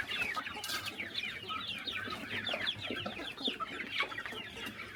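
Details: Morning feeding on a small countryside chicken farm: many chickens calling at once in busy, overlapping clucks and short chirps, with a few sharp clicks.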